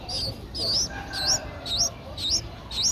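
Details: Streak-eared Bulbul nestlings aged nine days, Ubon Ratchathani, Thailand, 11 April 2023: loud, high rising whistled squeaks, about two each second, each curling upward at the end.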